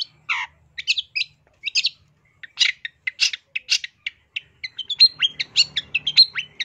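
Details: Masteran of the long-tailed shrike, locally cendet, full isian, 2023: a falling slurred note opens, then steady stacked chirps that grow faster into a lively twittering run, with a weak low drone late on.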